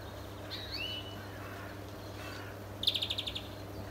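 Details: European greenfinch in a neighbour's garden: a faint, buzzy rising wheeze, then after a pause a quick, high, pulsed trill of about seven notes, over a steady low hum.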